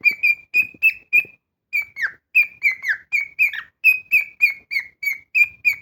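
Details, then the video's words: Cockatiel kept as a pet giving a loud, artistic whistled song: rapid repeated clear whistle notes, roughly three a second, a brief pause, then more notes, several sliding downward in pitch, with soft ticks underneath. "Корелла Гошка поет. Громко, красиво, артистично!"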